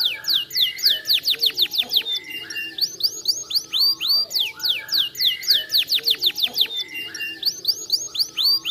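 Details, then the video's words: Canary singing a continuous, energetic song of rapid trills: sharp, descending whistled notes delivered in fast runs of about two per second, mixed with buzzy rolls, over a faint low background hum. "potenti stimolano suoni canarini"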